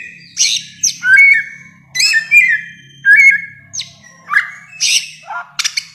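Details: A bare-throated whistler, in a long song-tutoring recording, sings a varied run of rich slurred whistles mixed with harsh, scratchy bursts, a new phrase about every second, over a faint low hum.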